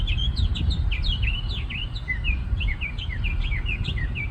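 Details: Bird singing from the top of a tree in a parking lot, fast series of sharp, sweeping chirps that jump between higher and lower pitches, steadily repeated, over heavy low-frequency traffic noise.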